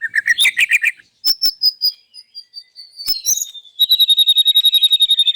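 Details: Loud morning song of a white-rumped shama displaying its imitated phrases: a quick burst of buzzy notes, clicks, a long thin whistle sliding gently down, then a rapid high trill of evenly repeated pulses.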